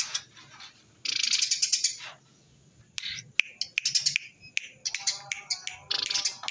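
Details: Eurasian tree sparrow in the rapid-fire "tembakan rapet" style, used to lure wild sparrows and as a tutor recording: dense bursts of sharp, high chirps in quick clusters, separated by short pauses.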